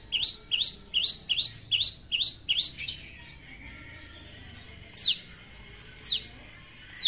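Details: Long-tailed shrike calling a rival: a rapid burst of about seven bright up-and-down notes, a pause, then a few drawn-out descending slurs spaced a second apart.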